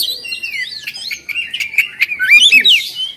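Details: Oriental magpie-robin, an Indonesian hobby bird, singing excitedly while spreading its tail. A fast run of clear whistled slurs and chips, rising and falling, ends in a rapid twittering flourish.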